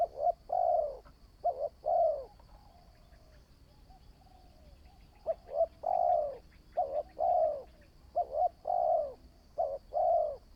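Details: Spotted dove, new decoy bird under training, cooing in bursts: two phrases, a pause of a few seconds, then a run of five more clipped-note-and-long-coo phrases, with scattered faint chirps and a steady high whine.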